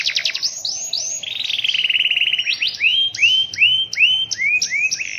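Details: Canary singing vigorously in rainy weather with a long roll: quick strokes lead into a sustained pulsed trill, followed by a series of arched, whistled notes repeated at a brisk, even pace.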